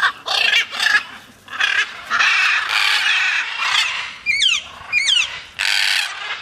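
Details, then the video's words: Free-flying macaws in flight give loud, harsh, raspy squawks in rough bursts of about a second, with a few sharper downslurred shrieks near the end. "flying macaws"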